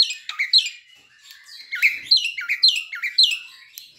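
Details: Young Asian pied starling learning to sing, used as a lure: series of falling whistled notes repeated roughly twice a second, with softer chatter between them.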